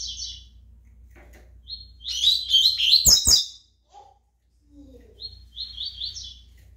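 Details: Pardo Double-collared Seedeater releasing its song: a brief high trill, a loud tumbling run of warbled notes with sharp clicks, a pause, then rapid repeated buzzy trilled notes; faint low hum behind.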